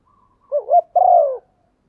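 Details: One phrase from a female spotted dove stimulating a male: a brief wavering two-part note, then a longer, smooth, falling coo.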